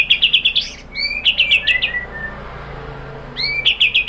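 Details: White-rumped shama song played to prompt other shamas to answer: quick bursts of high, rattling repeated notes alternate with clean rising whistles, a quiet pause, then the rattling burst returns.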